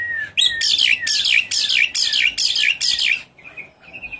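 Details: A Javan pied starling sings, its song played as a lure to coax a caged bird that has stopped singing. Six harsh, buzzy, grating notes come about twice a second, followed by two softer thin whistles.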